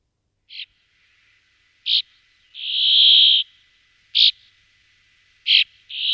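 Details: Brambling giving a long, harsh, wheezing buzz lasting nearly a second, set among short, clipped single notes repeated every one to two seconds.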